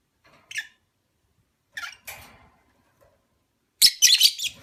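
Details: Opaline parblue lovebird with a few soft scattered chirps and rustles, ending in a loud, dense burst of rapid shrill chattering.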